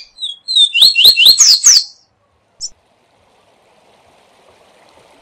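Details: Rusty-collared seedeater performing the SIL SIL ZEL ZEL song as a tutor model for learning birds; brief chirp, rapid series of upswept whistled notes and high slurs lasting about two seconds, then a single short note.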